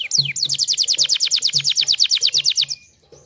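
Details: Canary song: two falling whistles lead into a fast, steady trill of clipped high notes for over two seconds, with soft low knocking sounds in the background.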